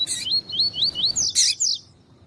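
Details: Double-collared seedeater, tuí-tuí song used to warm up a male, with a female calling; four clear upslurred whistles in steady rhythm, then a harsh burst and two higher slurred notes.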